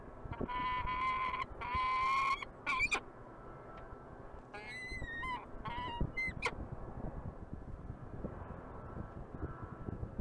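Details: Peregrine falcon in Montreal, Canada: two long, harmonic wailing calls in the first two seconds, then shorter harsh, buzzy notes, over steady low city rumble.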